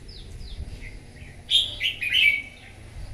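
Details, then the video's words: A wild-caught red-whiskered bulbul in morning competitive singing: soft descending chirps at the start, then a strong cascade of fast, tumbling whistled notes in three quick bursts. "Kích chào mào bổi hót đấu " luyện giọng chào mào hót buổi sáng kích chim hót đấu căng lửa"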